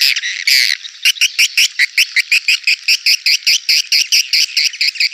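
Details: Swiftlet call meant to attract birds to a bird house: two long buzzy bursts, then a steady series of short rasping chirps about four per second.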